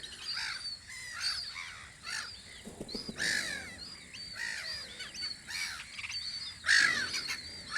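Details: Seagulls on Audru polder in spring keep up a busy mix of short yelps and longer wailing cries. One louder, drawn-out squeal comes near the end over the steady chatter of the flock.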